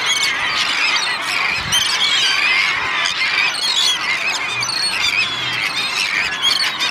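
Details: Feeding gulls by the thousand on Fanoe Beach, Denmark, August 14th, with Kentish and common terns present; loud steady wall of shrill overlapping squeals and cries, no pauses.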